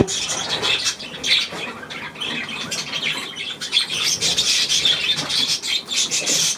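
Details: Budgerigar warble recorded 9 February 2024, a steady run of scratchy high chirps and clicks rising and falling in loudness without clear breaks.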